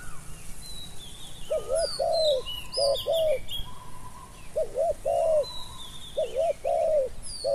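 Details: Cooing of a spotted dove during decoy trapping of wild doves: mellow two-part phrases, short then long, given in four bouts with gaps, while other birds twitter high and busily in the background.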